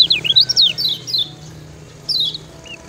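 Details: Kecial kuning, the lemon-bellied white-eye of Lombok, in a 'ciak ciak' master song for training other birds: a brief cluster of sharp, sliding high notes, a pause, then one falling chirp.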